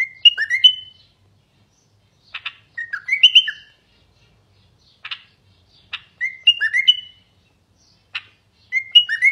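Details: Common bulbul, known locally as garden bulbul, singing a continuous tutor song meant to encourage males to sing and prepare females for nesting: bright whistled phrases of rising and falling notes roughly every two to three seconds, separated by short dry chirps.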